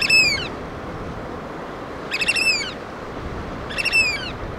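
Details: Black oystercatchers feeding chicks on the Pacific Northwest coast of Washington; three loud, sharp, ringing piping calls spaced about two seconds apart over steady surf roar.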